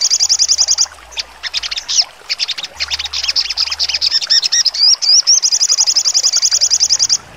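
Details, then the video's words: Sogon songbird in full trotol style with sharp bursts: opens with a fast, even high rattle, breaks into dense chattering and scratchy chirps, adds a couple of twisting whistles, then returns to the steady rapid rattle. "sogon trotol full nembak tajam"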